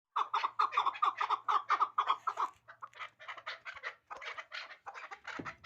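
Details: Hybrid chukar partridge, a young bird from last year's brood, calling in a fast run of clucking notes about four per second. The notes are clear and even at first, then become looser and more broken toward the end.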